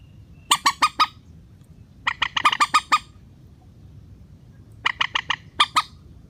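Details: Rail (mandar) lure call in a relaxed style, played to make hesitant birds descend to a net: three spaced groups of quick, nasal, squawking notes, four to eight per group, with calm gaps between.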